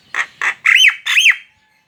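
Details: Javan myna singing to draw other mynas into song: two short harsh squawks followed by two longer notes that rise and fall in an arch.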